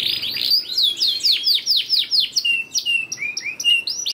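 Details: Canary song meant to prompt lazy canaries to sing: bright rapid sweeping notes tumbling downward, then a lower section of short steady whistled tones and quick chips alternating with higher notes.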